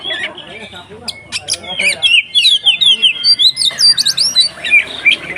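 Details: Kacer bait song, 'konslet ngeplong' style, used to excite other kacer: after scattered clicks come quick, evenly spaced whistled notes, roughly three per second, rising and falling in a lively series.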